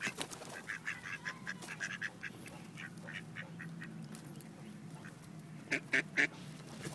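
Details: Ducks in Wilmington, NC, as rejected males attempt forced mating with a female: a steady series of short nasal quacks, about two per second, ending in three louder, harsher quacks.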